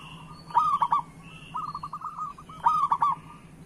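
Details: Local zebra dove, kept as a cage bird, singing to prompt other doves to sing: soft cooing phrases near one kilohertz, a loud rolling three-note coo twice, between them a quieter trilled run of notes, steady low hum beneath.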